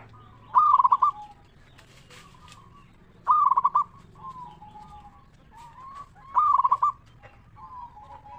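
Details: Lure recording of a local zebra dove to prompt other doves to sing: rhythmic pulsed coo phrases repeating about every three seconds, with quieter background doves cooing in the gaps.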